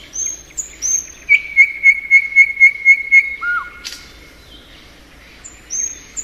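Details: Thrush nightingale singing in spring: thin high whistles, then a fast, even series of about eight identical clipped notes, a sharp click and a low slurred whistle, followed by quiet and a few high whistled notes.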